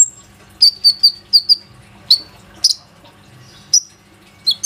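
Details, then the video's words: Plain-throated sunbird (konin) lure sound, recorded on an Oppo A37f phone to make other sunbirds sing: a run of four short high whistled notes, followed by widely spaced single sharp chirps. "PANCINGAN KONIN GACOR INI PANDAI MEMANCING KOLIBRI NINJA LAIN AGAR IKUT RAJIN BUNYI"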